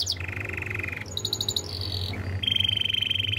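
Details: Canary song for training: a long flat buzzy trill, short bell-like pulsed notes, another held trill, a brief dip, then a strong rapid rattling trill to the end.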